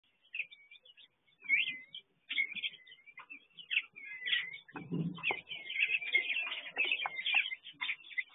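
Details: Aviary chestnut-flanked white-eye giving a busy run of thin, high chirps and twitters, short notes tumbling close together, with a soft thump partway through. Chestnut-flanked white-eye.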